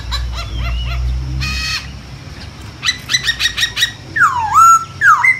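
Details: Masked laughingthrush singing in the wild: a loud, varied run of rising whistled notes, a harsh rasping burst, rapid stacked chattering notes, then slurred descending whistles, over low rumbling background noise.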